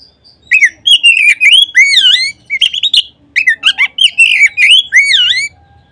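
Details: Oriental magpie-robin song played as a lure so that any magpie-robin starts singing: six seconds of loud, continuous phrases of rich, swooping whistles and quick chirps, with one short pause midway.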